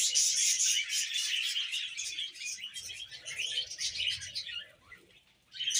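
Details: A group of pet budgerigars keeps up busy, overlapping chatter of quick twittering chirps and buzzy squeaks. It fades to near quiet before the end, then a fresh burst of chirping starts.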